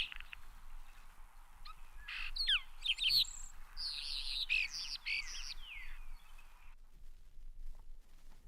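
A European starling sings a jumbled medley of whistles, rising and falling slurs, clicks and rattles, packed densely into a few seconds before trailing off.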